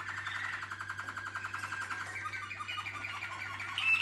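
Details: Waterslager canary delivering a soft, fast pulsing roll at middle pitch that ends in a brief high note, with a constant low hum underneath.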